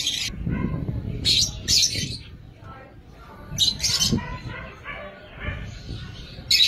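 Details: Young lovebirds in an aviary giving harsh, high squawks in short bursts scattered over several seconds, with low background rumble and other bird chatter.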